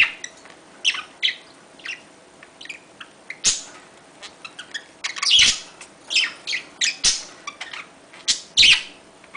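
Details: Budgerigar mating call, sparse soft chirps and clicks building into louder scratchy warbled bursts in the second half, with sharp ticking notes and quiet gaps between.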